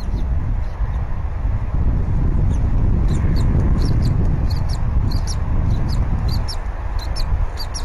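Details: Bald eagles at a nest on a live cam, 20 February 2019, 10:39 AM, as the male brings a half-eaten fish and the female feeds the eaglet; high thin squeaky chirps come in quick bursts over a steady low rumble of wind.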